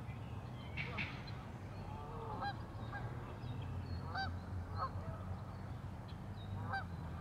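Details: Geese at a Madison, Wisconsin lagoon give loud, clear honks in bursts about every half second to second, several birds overlapping, over low background rumble.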